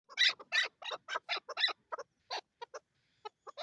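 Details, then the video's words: Chukar partridge, male and female, in Swat, Pakistan, in 2022: a fast run of harsh, chuckling notes, about three a second, loud at first and then sparser with gaps, with faint laughter nearby. "Chakor Sound in swat Pakistan/Pakistan national bird Male and female chakor"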